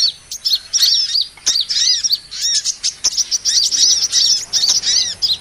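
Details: Sunbird (kolibri) lure sound for catching small birds: busy, squeaky chirping with repeated arched whistles, delivered in quick clusters throughout.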